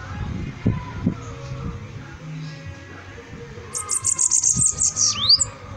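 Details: A bananaquit's song arrives after a quiet stretch of low background noise: a fast series of high, sizzling ticks that ends in a sharp down-and-up whistled slur.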